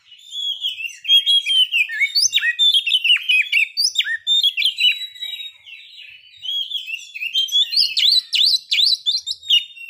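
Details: Oriental magpie-robin song meant to make listening birds eager to breed and aggressive. A long, continuous warble of quick whistled and chirped notes runs for several seconds, pauses briefly, then resumes with sharper, rising high notes.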